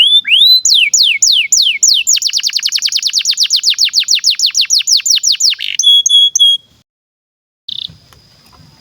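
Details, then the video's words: Domestic canary master song for young canaries: rising whistles, then a rapid run of sweeping chirped notes, a few clear repeated whistles, and after a short silence a brief faint buzz. "SUARA BURUNG Kenari GACOR PANJANG INI Cocok untuk Masteran KENARI PAUD dan Kenari Macet BUNYI"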